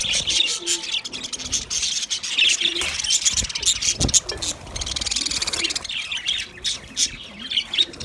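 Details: White budgerigars chattering together: continuous dense, scratchy high warbling and chirping from several birds, with a few low thumps.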